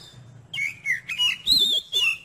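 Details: Oriental magpie-robin, heard as a test of another bird's nerve, sings a few drawn-out high whistled notes that waver and slide, separated by short gaps.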